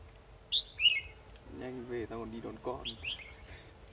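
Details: Red-whiskered bulbul used as a decoy in a trap, singing to lure a rival bird, recorded 2 December 2020: short, loud, bright whistled phrases, then a man speaking over low murmur, then more quick whistled notes.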